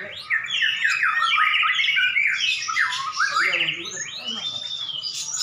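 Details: During a duel between two prize-winning white-rumped shamas, loud continuous song of looping whistles, sharp rising and falling slurs and chattering notes runs with hardly a pause.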